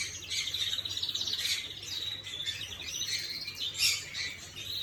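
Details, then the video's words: Canary song, 11/5/25: dense, high twittering phrases mixed with a thin steady whistle and quick chirps, over a low background hum. "Chim Hồng Yến hót"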